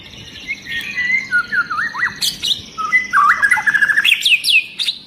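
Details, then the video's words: Agitated long-tailed white-rumped shama song, encouraging other shamas to sing; varied whistles and slurred notes building into a rapid trill of rising phrases, with another high singer behind. "Murai Batu Ekor Panjang Ngamuk Dan Bikin Burung Murai Lain ikut Gacor !!!"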